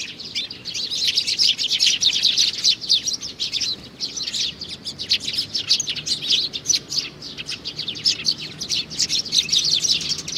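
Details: Chirping from a young sparrow chick, recorded in June 2019: dense, continuous stream of high, thin chirps, overlapping and busy throughout.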